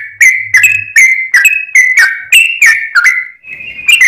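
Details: Sooty-headed bulbul song used as a lure: loud, clear whistled notes around one pitch, each sliding slightly, delivered in a quick uneven series with short gaps and a sustained note near the end.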